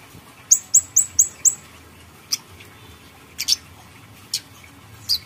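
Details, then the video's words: Grey-headed canary-flycatcher (kamade), plain-plumaged bird in strong singing form, recorded as a lure to prompt other birds to sing: a quick run of four high, sharp, falling notes, then scattered single high chips with pauses. "pancingan kamade polos gacor isian"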